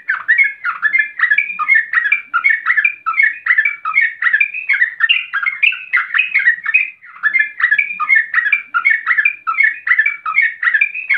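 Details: Sooty-headed bulbul, a young wild forest bird, agitated and singing an emotional rapid 'ropel' song that provokes other bulbuls to join in; dense chattering phrases of mid-pitched bubbly notes, repeated rapidly and continuously without pause.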